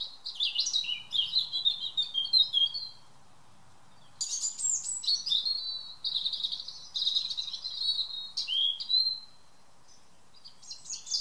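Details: In a garden at evening, a European robin delivers three bursts of silvery, warbling song with pauses between, the notes trickling and falling in pitch, with a brief fresh phrase starting at the end.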